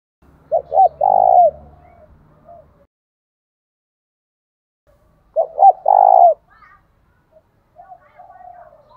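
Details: Decoy spotted dove calling to lure wild doves to fight, repeating its phrase twice about five seconds apart: two short coos and a long falling croo, with a low hum at the start and faint softer coos later.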